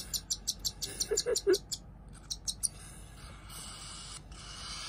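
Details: Hand-fed cockatiel chicks, two same-day siblings, peeping in short irregular bursts of high notes while feeding, with a few lower squeaks mixed in, then a quieter hissing background.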